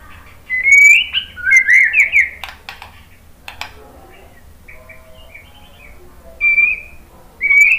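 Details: White-rumped shama song meant to stimulate another bird to answer: bright upslurred whistles with rapid warbled notes, sharp ticks, then quieter scattered whistles and a final loud rising phrase.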